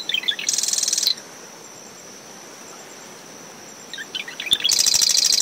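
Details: Marsh wren near its nest in coastal dune shrubs on a brisk, windy morning after tropical depression Claudette. One song ends in a harsh buzzing rattle. After a pause of about three seconds, another begins with clipped notes and a loud trill. A cricket hums constantly.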